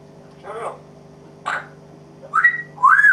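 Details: Pet African grey parrot indoors imitating coughing and barking: four short rough bursts, the last two sliding into rising whistled tones, over a steady low hum.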